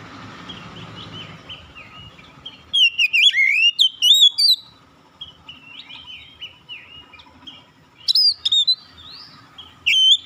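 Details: Oriental magpie-robin delivering varied song: a dense cluster of rapid, twisting whistles and chips, quieter mid-range warbling notes, then another bright burst of quick whistled flourishes near the end.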